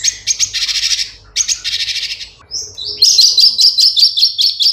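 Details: A cucak cungkok bulbul, recorded as a tutoring track for songbirds, gives dense, scratchy chattering bursts, then a quick run of bright, high whistled notes about two or three per second.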